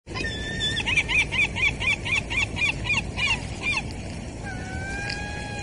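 Gull calling in a rapid series of loud, nasal, yelping notes, about four a second, then a drawn-out wail, over steady background noise.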